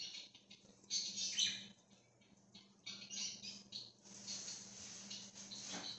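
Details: Free-roaming budgerigar flock, recorded 13 October 2024: dense high warbling chatter with bursts of overlapping chirps and squawks, swelling around the first and third seconds, over a steady low hum.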